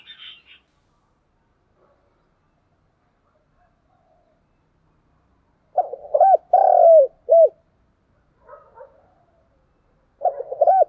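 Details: Spotted dove calling to lure and stimulate other doves: low hooting coos in a short phrase near six seconds, another burst near ten seconds, with brief softer notes between and a faint high chirp at the start.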